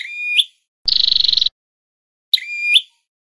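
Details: Trap-lure recording of red-headed flowerpecker song: a whistled note rising at its end, a single fast pulsed buzzy trill, then another whistled note that swings upward, with silent gaps between.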